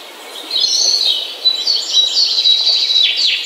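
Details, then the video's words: Morning bird song starts with a quiet moment, then a sustained high, shimmering warble full of quick, jumbled notes that ends on a sharp downward chirp. "The Best Bird Song - Morning Bird Ringtone"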